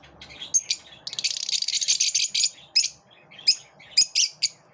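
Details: Lovebirds living in a group while repelling each other, giving shrill, high chirps and squawks; a dense rapid chattering burst in the middle, then separate sharp calls spaced about half a second apart.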